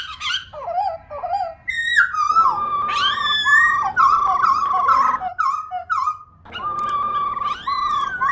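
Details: Female black laughingthrush, a kept bird whose rolling 'ro ro' voice is played to stir other laughingthrushes into singing; sustained, slightly wavering mid-pitched rolling notes broken by short rising and falling whistled slurs, with brief silences between phrases.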